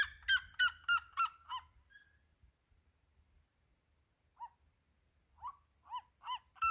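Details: Red-legged seriema song: a rapid run of loud, ringing yelps, about three per second, trails off into a quiet pause, then a fresh series of yelps starts softly and builds in strength and speed.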